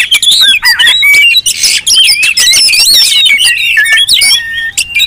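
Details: Several Oriental magpie-robins call at once in a raucous lure recording for provoking other magpie-robins. Continuous overlapping whistles, warbled slurs and harsh squawky bursts run for the whole stretch with barely a pause.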